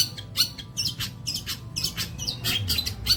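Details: Long-tailed shrike, training material for songbirds: harsh, squawky notes mixed with short slurred whistles, given rapidly over a faint low hum.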